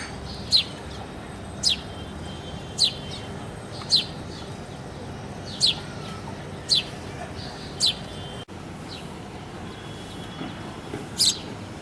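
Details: House sparrow chirping in the early morning, recorded with a Sony handycam: seven sharp, downward-sliding chirps at a fairly even pace of about one per second, a brief break, then one more chirp over low hiss.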